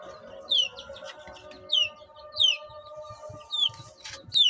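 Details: Long Tail Duckwing Silver Phoenix chicks peeping: high, thin, downward-slurred peeps given singly about every second, over a steady low hum and faint background music.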